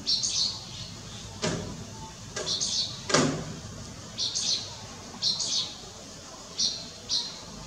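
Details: Striated swallow recorded at Lugu on 30 June 2022: short, bright chirps repeated at irregular intervals of about a second, with a few sharp knocking or clicking sounds in between.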